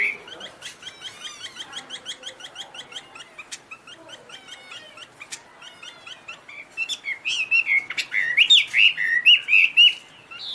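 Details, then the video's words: Chinese hwamei singing high, pure notes: a run of quick repeated chirps, a few separate notes, then loud, rich whistled phrases that warble up and down near the end. "Birds Garrulax canorus high vocals and pure"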